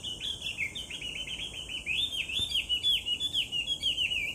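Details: Chinese hwamei song recorded 18 July 2019: a rapid, loud stream of rich whistled phrases, looping up and down and repeated about twice a second, with a steady high background hiss.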